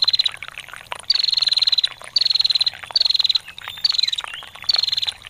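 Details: Female bar-winged prinia performing ngetir: five short bursts of fast, high, ticking trill, each about half a second long, spaced roughly a second apart, with trickling water in the background.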